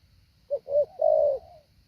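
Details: Training decoy spotted dove with a structured call gives one phrase: two brief soft coos followed by a long, smooth, slightly falling coo, with a faint background hum.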